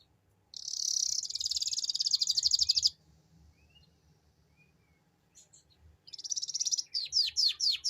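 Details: Canary ngeriwik lure song: a dense high rattling trill lasting over two seconds, a quiet interval with faint chirps, then a renewed trill breaking into a run of loud down-slurred whistled notes.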